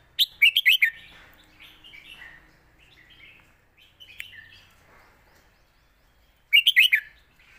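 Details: Red-whiskered bulbul giving a master-style song: a loud burst of quick, bubbly whistled notes, then softer warbling, then another loud rapid phrase near the end, with other birds chattering faintly behind.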